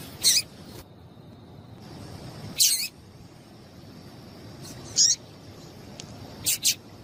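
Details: Calling female double-collared seedeater, whose call is used to get males singing: four high, short chip notes spaced roughly two seconds apart, with faint background hiss between them.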